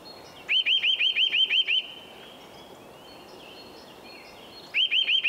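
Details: Eurasian nuthatch, in the middle of nest building, sings a quick string of seven clear upward-sweeping whistles, then a long gap with soft faint calls from other birds before the phrase starts again.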